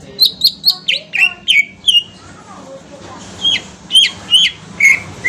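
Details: Green leafbird song played as a lure to draw a reply, possibly from Kalimantan: quick bright whistled and chirping notes in a rapid burst, a short pause with soft lower slurs, then more ringing whistles.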